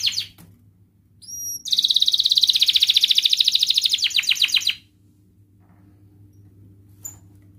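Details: Canary singing to encourage lazy canaries: two thin high whistles, then a loud, steady rattling trill of rapid pulses for about three seconds, after which the bird falls quiet apart from a faint chip.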